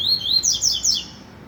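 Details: Rusty-collared seedeater singing in the trovão song style: a rapid run of loud, clear whistled notes sliding up and down, bunched in three quick bursts within about a second, then fading into quiet background hiss.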